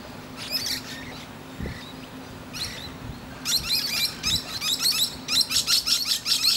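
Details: Musk lorikeet resting on a tree branch and chatting with other birds; scattered shrill notes, then a fast run of sharp, high screeches repeated several times a second, with a low steady hum beneath.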